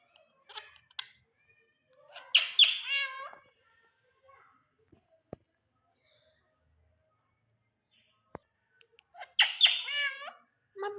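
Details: A pet Indian ringneck parrot talking to a mirror produces two bursts of raspy, chattering talk-like phrases about seven seconds apart, with near silence and a few sharp clicks between.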